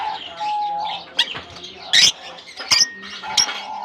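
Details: Lovebirds released into a colony aviary in Germany in summer: several loud, shrill, high chirps burst out about once a second over a busy background of softer twittering and lower tonal calls.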